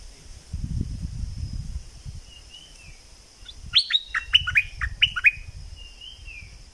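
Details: Singing bulbul from southern Thailand: soft gliding whistles bracket a tight cluster of loud, clipped whistled notes, double style, with muffled low noise before and after.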